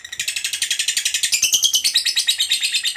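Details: Lovebird, a fighter kept by bird hobbyists, giving a long ngekek chatter used to lure other lovebirds: a fast run of harsh, buzzy pulses, about three per second, sliding slightly upward midway and running unbroken to the end.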